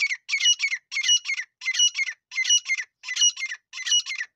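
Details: Partridge (desi teetar) call for hunting in Sindh, Pakistan, meant to lure birds: loud, rasping, high-pitched double-note phrases repeated rhythmically about every 0.7 seconds throughout, against a clean, quiet background.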